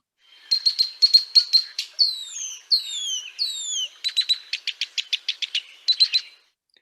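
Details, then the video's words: A male Red-winged Blackbird with a mated territory gives its rarely heard flight song, usually given in flight and thought to tell his mate he is leaving: rapid chattering notes, three long slurred descending whistles, then more dry clipped chips. "but they also have another song that they don't give very often we call it the flight song because it's usually given in flight"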